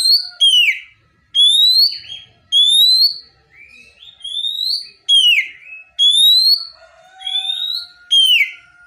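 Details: Oriental magpie-robin (kacer) training song, full of mimicked phrases with calling tones: loud, clear rising whistles repeated about every second, with falling slurred notes and softer warbles between phrases.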